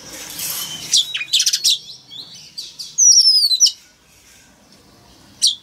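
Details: Male Oriental magpie-robin singing loudly to prompt a young bird to open its beak and sing along: bursts of high, sharp chirps and clicks, then a ringing series of sliding, descending whistles, a quiet pause, and one last sharp note.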